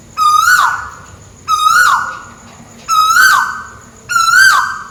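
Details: Loud, close tuwu bird from Malaysia calling from above: four strong whistled notes, each swelling, rising slightly and dropping at the end. They are repeated roughly every one and a half seconds against a faint steady hiss.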